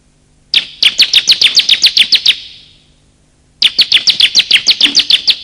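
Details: Bar-winged prinia, male and female, calls to lure wild birds and prompt silent ones: two fast trains of around ten to twelve sharp, high chirps each, separated by a pause with echo.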